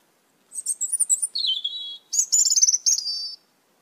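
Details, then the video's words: An Asian glossy starling, one of many eating papayas in a backyard, gives two bursts of high, squeaky chatter, each ending in a thin drawn-out whistle, over a quiet background. "ASIAN GLOSSY STARLING"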